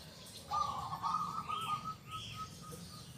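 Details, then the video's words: One long, rolling trilled coo from a local zebra dove singing with a loud, clear 'kung' voice, trailing off into a few soft separate notes, with faint high bird chirps behind. "PERKUTUT LOKAL GACOR SUARA KUNG BESAR YANG KERAS & JERNIH"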